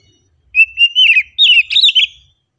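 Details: Oriental magpie-robin in relaxed song, with one continuous run of bright whistles that begins steady, climbs through quick wavering slurs and ends in a few sharp, falling notes.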